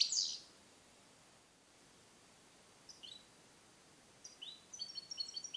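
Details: A captive-born male European goldfinch (Carduelis carduelis), hatched in 2021 and song-trained on Neapolitan passages, isolated in a small carrier for recording, opens with a loud high burst, pauses, then runs thin, tinkling, high twittering notes.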